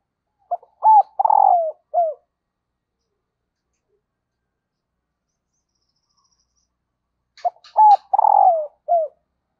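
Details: Female dove cooing to excite the male, said to bring quick answers from wild doves. Two four-note phrases about seven seconds apart, each built around a long, tremulous falling coo, with faint clicks just before the second phrase.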